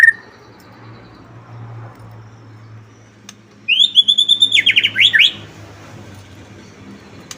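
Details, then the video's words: White-rumped shama singing to prompt other shamas: a single short high whistled phrase followed by a quick rattling series of notes, then quiet. "Kicauan Murai batu gacor memancing murai batu ikut bunyi"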